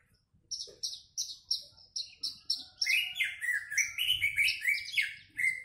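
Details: Horsfield's bush lark (Javan bush lark), a captive bird set out in the sun, sings loudly: a fast series of high, sharp chips, about three a second, then richer, rolling warbled phrases.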